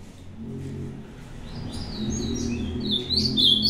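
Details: Ultramarine grosbeak from a recent singing contest, starting quietly under a steady low hum, then breaking into bright whistled and slurred notes that grow louder toward the end.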